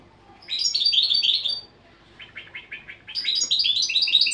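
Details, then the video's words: Goldfinch sings a quick high twittering phrase, pauses into a softer run of evenly spaced chattering notes, then bursts again into rapid, sparkling high twitters. "تغريد الحسون"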